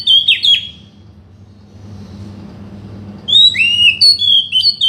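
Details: Oriental magpie-robin singing to prompt a silent bird to sing: loud, clear whistled phrases with sliding notes, a pause of quiet hum, then a fresh run of rich whistles.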